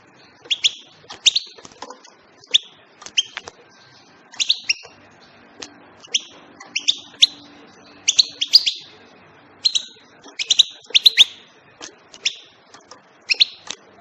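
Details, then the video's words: Busy European goldfinch chirping: bright, clipped notes in repeated clusters of two to four, almost continuous with short gaps, over a faint low hum. "بتبتات طائر الحسون"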